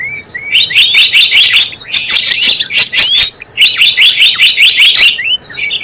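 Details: Trapping-lure recording of Java sparrow: continuous high twittering chirps in fast overlapping series, with a few thin rising notes at the start and end.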